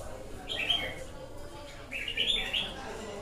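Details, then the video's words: Red-whiskered bulbul giving two short, bright warbled phrases about a second apart over steady low background noise. "Chào mào bổi lở"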